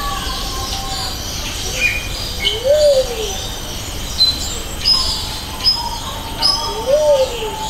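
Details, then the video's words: Luzon bleeding-heart in Jurong Bird Park, captured with a Sony FDR-AX700 and Rode VideoMic NTG: two low hooting coos, each rising and falling, about four seconds apart, with thin high chirps from other birds and distant voices. "Luzon Bleeding heart"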